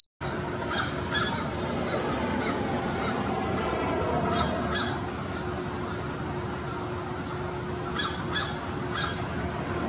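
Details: American crow Morpheus caws in harsh, rasping, irregular bursts, a few per second at times, to crows in the distance, over a steady background rumble.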